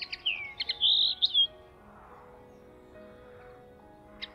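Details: A singing common linnet at RSPB Rainham Marshes in spring, by a hedge with other linnets singing nearby, gives a quick burst of bright twittering notes and a thin buzzy trill over about a second and a half, with soft background music.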